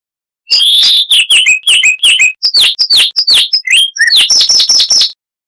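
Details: Chestnut-vented warbler, a bird of southern African scrub and dry riverbeds, singing a loud, crystal-clear song: rapid run of high whistled and chirped notes, some sliding down, ending in a quick repeated series of bright notes.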